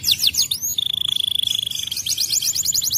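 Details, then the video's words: Canary song played so that any canary answers and sings: quick sweeping chirps, then a long steady whistle with fast trilling over it, ending in a rapid repeated trill. "KENARI MANAPUN PASTI RESPON dan ikut GACOR"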